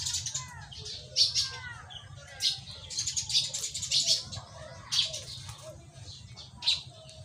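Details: A Philippine pipit sings thin, high, buzzy bursts at irregular intervals of one to two seconds, with a few lower slurred notes early on and a faint low hum beneath.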